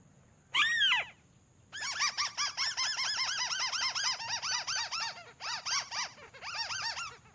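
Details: Tikusan (crake) lure call compiled from various sources, recorded without special equipment: a single loud arched note, then a long, fast series of arched, harmonic-rich notes in rapid bursts with short breaks, over faint background hiss.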